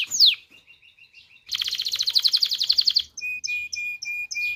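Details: Canary singing to encourage mating: a sharp falling whistle, soft repeated piping, then a fast dense trill followed by steady high clipped notes.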